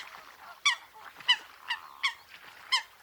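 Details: A coot calls in a wetland, giving short, nasal, clipped notes roughly every half second to second over a soft background hiss.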